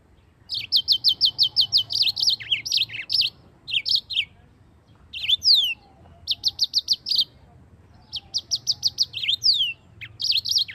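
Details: Yellow-fronted canary in full, sustained rolling song, the kind used as a master recording to teach white-eyes to sing: bursts of rapid, evenly repeated high chirps alternating with slurred downward whistles, separated by short pauses.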